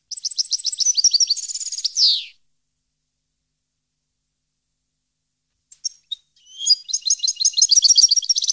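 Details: A European goldfinch at Parva in 2015 delivers a rapid twittering phrase ending in a buzzy downslur, then after a pause a few isolated chirps lead into another fast, jingling run of notes.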